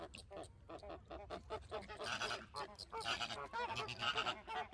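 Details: Many flamingos honking together: harsh nasal goose-like calls, about two per second, building louder and denser toward the end over a low background rumble.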